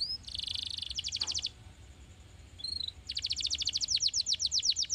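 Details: Canary song used to get canaries singing: a buzzy roll and a fast trill, a pause with soft chips, then a long, slightly slowing series of rapid high notes.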